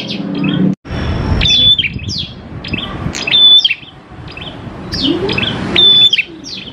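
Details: Prinia song for luring prinias into song: a brief cutout of sound, then repeated high chirping phrases about every two seconds, each with a clear level whistle among quick sharp notes, over a low background rumble.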